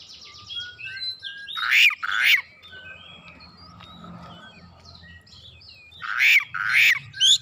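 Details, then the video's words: Oriental magpie-robin singing with two paired harsh buzzy bursts at the start and end, separated by softer varied whistles and chirps, other faint bird notes in the background. "Kacer langsung nyaut ngotot bongkar isian"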